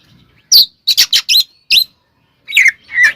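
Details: Oriental magpie-robin singing a combative song to provoke rivals: quick run of four harsh high notes, a single sharp chip, then two descending slurred whistles.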